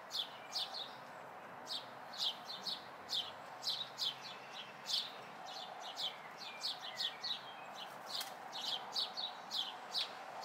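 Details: Local house sparrow fledglings calling in May 2020 with rapid, repeated chirps, sometimes doubled, becoming denser toward the end, over a soft hiss of background noise.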